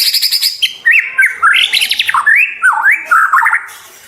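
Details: White-rumped shama song for training captive birds, with clear whistled phrases that rise and fall in a flowing series, mixed with short rapid trills and a few high buzzy notes.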